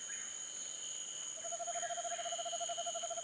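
An Eastern Screech-Owl gives a steady, low, rapidly pulsed trill on one pitch, starting partway through, over a constant high hum of insects.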